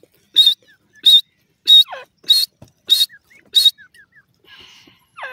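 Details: Grey francolin in breeding season at a bird breeding farm, giving loud harsh notes about every 0.65 seconds, six in a row, with softer chirps between them and a faint rising note at the end.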